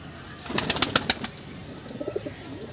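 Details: A Rampuri Kalanch pigeon in Aligarh gives a burst of sharp wing claps, followed by a few soft, low, throaty coos near the end.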